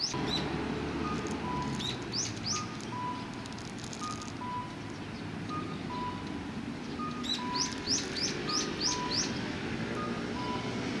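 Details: Sparrows chirping on 15 October 2018: scattered high rising chirps, then a rapid run of six or seven near the end, while a steady, repeated two-note electronic tone beeps in the background throughout.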